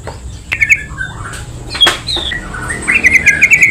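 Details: Yellow-vented bulbul calling, used as a lure to provoke other bulbuls: scattered chirps and slurred whistles, then a rapid rhythmic run of bubbly notes at the end, with a sharp click near two seconds.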